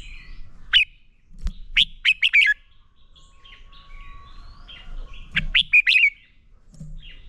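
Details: Red-whiskered bulbul in a training recording of its fighting song: an opening sharp note, then a fast run of four to five slurred whistles, a quieter stretch, and another burst of rising and falling whistles.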